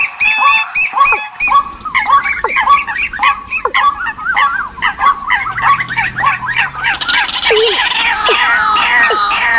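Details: Migration-season decoy calls: a thick chorus of chirping birds, notes overlapping faster than two per second, growing denser and higher toward the end, over a steady low hum.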